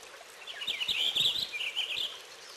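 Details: A warbled Purple finch phrase of quick rising and falling notes lasting nearly two seconds, over a constant noisy background.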